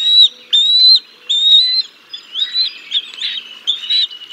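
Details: At the Decorah North nest on 6 May 2022, wild bald eagles call while a parent feeds fish to the chicks: three drawn-out high whistles followed by a faster, wavering chitter.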